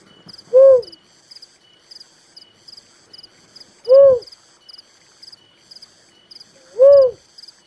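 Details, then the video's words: Little cuckoo-dove repeating a single short, soft, arched note three times, roughly three seconds apart, while high-pitched insects chirp in pulses throughout. "suara burung tekukur merah || suara burung uncal"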